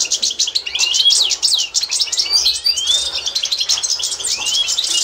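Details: European goldfinch, Constantine type, singing for young birds to learn in 2024: quick twittering chirps interspersed with several long rising whistled slurs, the fast high-pitched chatter continuing without pause.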